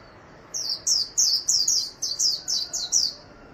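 A white-eye gives a quick twittering run of about nine high, thin, downslurred notes, roughly three per second, over faint background hiss.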